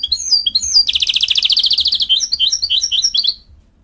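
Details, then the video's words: Hybrid mule goldfinch (canary crossed with goldfinch) opens with a few chirps, then delivers a long fast rolling trill of evenly repeated notes, ending in quick twittering phrases before falling silent. "Creativity and excellence in Mule Goldfinch singing"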